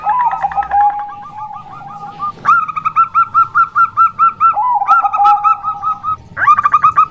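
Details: Female zebra dove of a local type, used to lure males: repeated runs of rapid, bright coo notes, each run opening with a lower sliding note, three phrases in succession.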